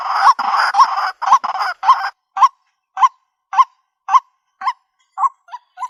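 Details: White-breasted waterhen calls played to lure birds into a trap in the countryside: a few harsh, noisy notes, then clean, hooked, croaking notes repeated about twice a second, fading slightly toward the end.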